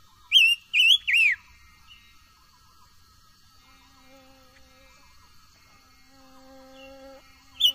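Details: Silver-eared mesia song used for voice training: one quick phrase of three bright whistled notes, then a long lull with faint low steady tones in the background, ending with a single short whistle.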